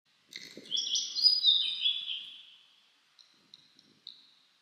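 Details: Blue-and-white flycatcher singing on a mountain in spring, cloudy at 14°C after rain: a clear, high whistled phrase sliding downward over about two seconds, followed by a few brief, thin high notes.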